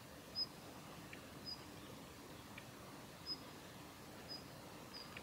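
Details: Female Daurian redstart at Kita-Fuji training area, Japan, 7 November 2021, uttering ground calls: brief, very high, piercing pips spaced irregularly one to two seconds apart against a constant hissing background.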